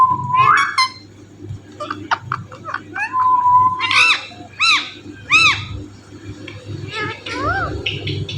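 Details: Indian ringneck parrot kept as a pet, mimicking speech and saying its name: a rising whistled note, then short clicks and several arched, harmonic-rich vocal syllables, with a steady low hum underneath.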